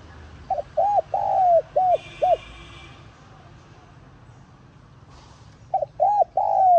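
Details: Spotted dove call aimed at luring wild doves: a phrase of short and long mellow coos, a brief buzzy noise after it, a quiet gap, then the next phrase beginning.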